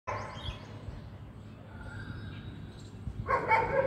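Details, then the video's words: Indian peafowl calling to each other: loud, harsh, nasal calls, a brief burst at the start and a stronger wailing one near the end, over a low background rumble. "Peacock calling each other"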